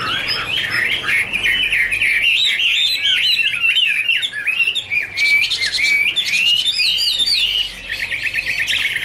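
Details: Chinese hwamei (Garrulax canorus) singing a varied, rich warble of fast slurred whistled notes, continuous over nine seconds, with brief buzzy bursts near the middle.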